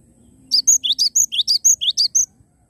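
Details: Short, bright outburst from a Cinereous tit: about ten rapid, sharp chirped phrases in under two seconds, high and metallic, with a faint low hum in the background.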